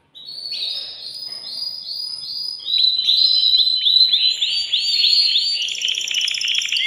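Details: Agitated caged male canary singing to stimulate a female to mate: a long rolling run of rapidly repeated whistled notes that rise and grow louder, ending in a buzzy trill.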